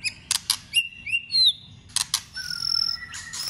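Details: White-rumped shama in contest song training: loud clicking snaps interleaved with brief high whistles and sweeping slurred notes, then a thin, drawn-out high whistle.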